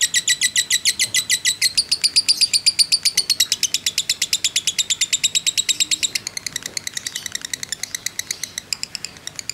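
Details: Long ngekek from a fighter lovebird, a lure to provoke rivals; a fast, regular rattle of sharp high notes, loud at first, then thinning into sparser, softer ticks near the end.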